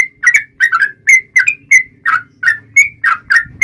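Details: Yellow-vented bulbul lure song, 'trucukan gacor' long rapid 'ropel' style, for drawing other bulbuls to sing: bright bubbly whistled notes repeated about three per second, each note sliding and warbling, faint low hum beneath.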